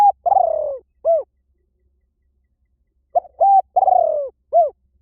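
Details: Two phrases of spotted dove song for decoy use, about three seconds apart: a steady coo, a drawn-out quavering coo sliding lower, and a final short coo. The second phrase opens with a brief note. Background is otherwise silent.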